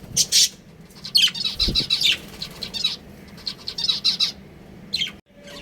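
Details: A breeding pair of pet budgerigars chattering: rapid, buzzy, high-pitched chirp sequences in several bursts, with a brief low thump midway and a sudden quiet drop near the end.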